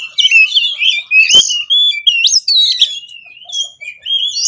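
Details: Caged oriental magpie-robin singing to provoke others: clear rising and falling whistled phrases with a sharp click, separated by brief pauses.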